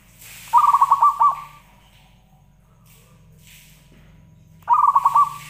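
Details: Zebra dove singing as a lure to get other doves to sing: a bubbling, rapidly pulsed coo phrase lasting about a second, then a quiet gap before the phrase starts again, with a soft low hum underneath.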